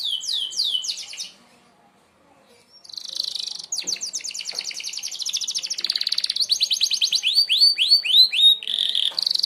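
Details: Merlok canary's sharp shot song, played for mastering other birds: brief falling whistles, a short silence, then a buzzy burst building into a long, very rapid trill and slurred sweeps.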